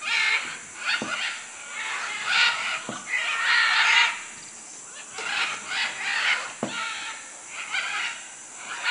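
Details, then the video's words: Macaws in Manu, Peru: scattered raspy squawks, some louder and some distant, with a few sharp knocks and a steady high insect drone. "Guacamayos Manu Perú"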